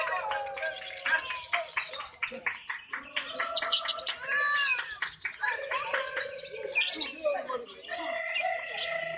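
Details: Lovebirds in a singing contest, where judges award a flag to the bird that calls most actively; dense high chattering twitters and trills, with several sustained whistled tones overlapping throughout.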